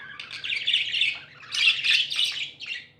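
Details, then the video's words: Tame budgerigars, described as happy, warble loudly in dense raspy chatter, two long continuous bursts separated by a short dip, with a faint low hum behind. "Happy budgies chirping sounds"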